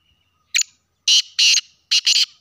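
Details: Sindhi black francolin gives a loud rasping phrase: a brief opening note, two longer scratchy notes, then a fast doubled ending, delivered in roughly two seconds with no other clear sounds.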